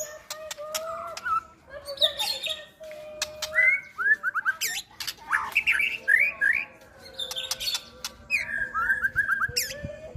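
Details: White-rumped shama being readied while moulting, singing varied whistled phrases, rising and falling slurs mixed with harsh squawky notes and sharp clicks, with steady background noise.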